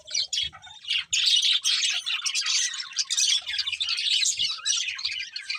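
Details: Singing budgerigars at their food give a lively, scratchy warble of quick chirps and buzzes. It begins with a few separate tweets and builds into steady chatter.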